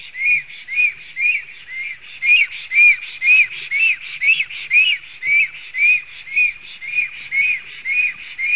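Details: In Sigulda municipality, Latvia, on 30 July 2020, a male black stork guarding its nest gives a long, regular train of high arched whistles, about two each second, briefly louder mid-sequence; captured by a live nest camera.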